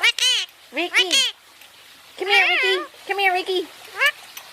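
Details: Pet Indian ringneck parakeet basking and talking: bright, nasal, speech-like phrases with wavering pitch, several short bursts then longer warbled syllables, separated by brief pauses, recorded indoors close up while its owner calls to it.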